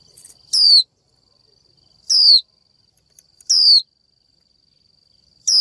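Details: Female Japanese white-eye 'chíu' calls directed at a male to stimulate his singing. Four sharp downslurred whistles are spaced about 1.5 seconds apart, with a few faint ticks and a constant thin whine behind.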